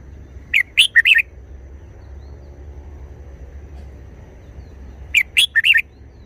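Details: Red-whiskered bulbul repeating a short wild-style song phrase twice, about four and a half seconds apart, each a rapid run of four warbling whistled notes, over a soft low rumbling background.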